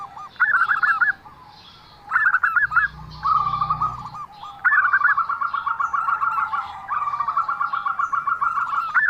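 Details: Zebra dove with an unusual voice: short bursts of rising, rolling notes followed by long, even trills of rapid cooing pulses, interrupted once by a low rumble.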